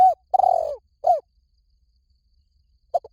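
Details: Spotted dove calling for decoy luring: a coo fades out, then a long vibrating coo slides downward and an arched coo follows. After a pause of nearly two seconds comes a short double note.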